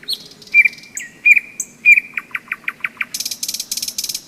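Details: Nightingale trill in May along the Seversky Donets river, thunderstorm season: a few whistled notes, then a fast run of repeated sharp chips speeding into a harsh buzzy rattle, with a low croaking frog chorus beneath.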